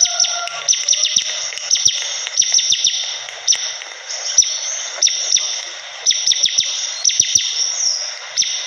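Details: Bar-winged prinia in lively song, a dense run of sharp, steeply descending high chips delivered in quick clusters with brief pauses, over a constant high-pitched hiss.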